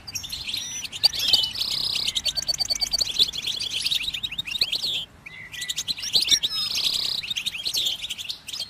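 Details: Goldfinch song used to encourage other birds to sing: quick chattering twitters broken by nasal, buzzy drawn notes about every five seconds, with a short silent gap midway.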